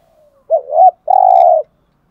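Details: Spotted dove in the 'hạp' voice style, used to rouse captive males: a quick two-part wavering coo, then one long, steady, low hooted note of about half a second. The background is quiet.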